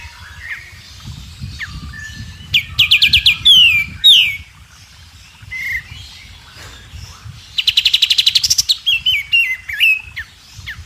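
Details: White-rumped shama song as masteran material for young birds: scattered soft whistles, then a quick buzzy trill with descending notes, a quieter middle, and a second rapid rattling trill followed by wavering whistles.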